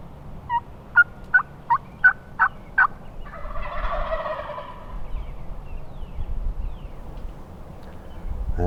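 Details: Wild Turkeys of a large flock gobbling close by on public land during a spring hunt in Nebraska, second day of the hunt; six sharp rapid gobble notes in under three seconds, then wind rushing and a hunter speaking.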